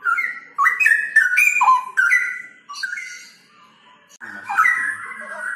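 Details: Mature mated pair of straw-headed bulbuls in song: rich, liquid whistled notes in quick stepped runs rising and falling, a burst of phrases, a short pause, then another gurgling phrase.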